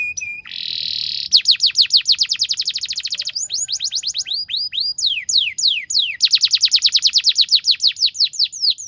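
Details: Canary song for tutoring young canaries: a brief buzzy roll, then long quick runs of sharply descending whistled notes at several speeds, bright and continuous.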